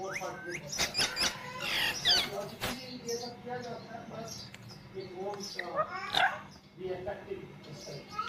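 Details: A green rose-ringed (ringneck) parakeet kept as a pet gives bursts of harsh, squawky chatter and sharp high notes, some almost speech-like, over a low steady hum.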